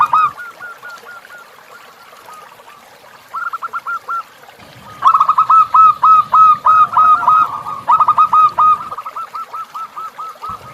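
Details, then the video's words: Zebra dove song for training captive birds, recorded with a river backdrop: soft coo series at first, then a strong run of regular arched notes around three per second over low rumbling water. "Masteran Perkutut Natural Sound of Alam Sungai"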